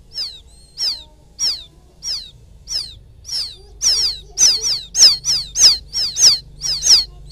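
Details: A paddy-field quail chick calls to its mother in this lure recording. Thin, piercing peeps fall in pitch and repeat steadily, starting softer and growing louder and quicker toward the end.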